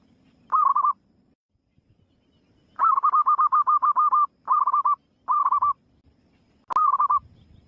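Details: Free-living zebra dove singing repeated trilled coo phrases: a short opening burst, a long rapid series of staccato rolling notes, then three shorter bursts, with a sharp click near the end.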